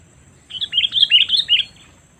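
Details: Lure calls of a sooty-headed bulbul to pull in wild birds, a lively chattering series of about seven quick bright chirping notes lasting over a second, clear against a quiet background.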